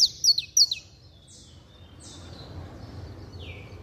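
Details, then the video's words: Saffron finch singing hard, kept to excite other saffron finches; three quick sharp high descending notes at the start, then fainter drawn-out lower whistles over a low background hum. "Canário da Terra Estralando Muito - Ótimo Para Esquentar Qualquer Canário-da-terra!!!"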